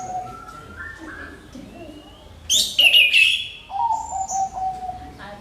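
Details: Lure song from an orange-headed thrush meant to provoke other birds to sing: soft level whistles, then a loud bright burst of high rapid notes, followed by lower clear whistled phrases.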